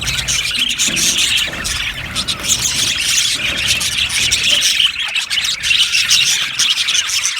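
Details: Aviary colony of budgies keeping up busy, overlapping chirping and squeaky chatter, with faint low rumbling noise underneath.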